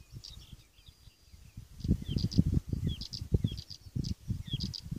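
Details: Blyth's reed warbler song recorded 27 June 2015 at Svensksundsviken, Sweden: quick series of thin, high clicking and twittering notes, partly masked by strong, gusty low wind rumble.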